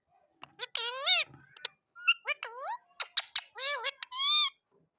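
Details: Natural calls of a rose-ringed parakeet: bursts of grating, harmonic squawks that bend up and down, broken by short clicks, ending in a long, even, high screech.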